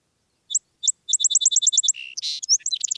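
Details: Song Sparrow played back as quiz bird number two, the 'one two three dddd' song: two separate high notes, then a fast run of evenly repeated bright notes, ending in buzzy and mixed chirpy notes.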